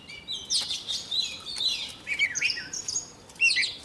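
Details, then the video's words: Young Oriental magpie-robin singing as a wild bird nears, giving smeared high whistles and short chattering notes, somewhat blurred and soft against steady background hiss. "Choè than non lên hót cực sung khi bổi đến gần"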